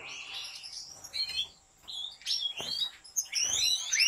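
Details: Goldfinch song inside a large aviary of a professional breeder: bright, chattering phrases of rising and falling whistled notes and buzzy twitters, broken by brief pauses, with several birds overlapping.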